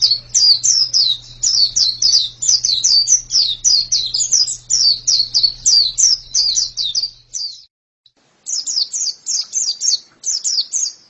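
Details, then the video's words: Pleci pours out rapid high descending chirps for about seven seconds, falls silent for a second, then resumes the same bright, quick notes; low hum early on. "pleci yang sangat super itu kicaunya"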